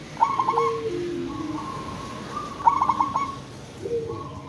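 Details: Local zebra dove used as a lure to make other zebra doves call back: two quick stuttering coo phrases with a trailing held note, a little muffled against a noisy, rumbling background.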